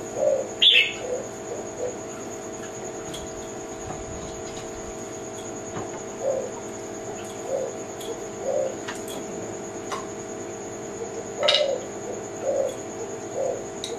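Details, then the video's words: Kelantan-type tekukur, a spotted dove, repeats low mellow cooing notes in loose bursts over a steady high whine, with a sharp higher chirp near the start and occasional faint clicks. "Kicau Mania - Jenis Burung Tekukur Kelantan"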